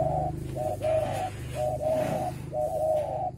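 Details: Spotted dove in a calling contest in northern Vietnam, giving soft, low, hollow coos in short grouped phrases roughly once a second, over a steady low background hum.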